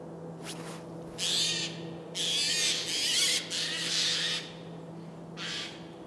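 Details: Pair of tawny owls (Strix aluco), larger female and smaller male, at Losiny Ostrov in January 2019, giving harsh, hissing screeches: six bursts of about half a second to a second each, under a steady low hum.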